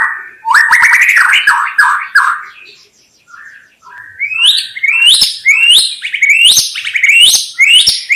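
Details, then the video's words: White-rumped shama song, used for luring wild shamas: a rapid buzzy run of stacked notes, a short pause, then a series of loud rising whistled phrases sweeping upward, repeated about every half second. "SUARA KHAS BURUNG MURAI BATU_KICAU ISTIMEWA"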